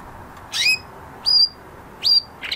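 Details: Male canary after moulting gives three clear, high whistled chirps with sweeping pitch, spaced roughly three quarters of a second apart in a quiet room.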